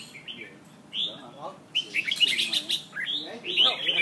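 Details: Two caged Red-whiskered bulbuls in Nha Trang, Vietnam, singing against each other: bright whistled and chattering phrases, some sliding notes, with a man talking to the birds nearby.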